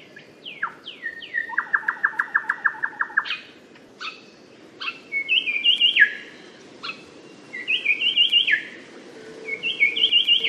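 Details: Little shrikethrush (Colluricincla megarhyncha), a species found in Papua, Papua New Guinea and Australia, sings loud, varied whistled phrases: quick falling slurs, a rapid rattling trill of about ten notes, then bright stepped warbles, over a steady low hiss.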